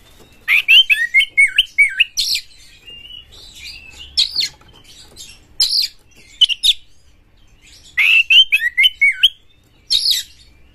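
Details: Champion White-rumped shama singing as a lure for other shamas: loud clusters of wavering whistles and crisp buzzy notes, phrases repeating every few seconds with quiet gaps between.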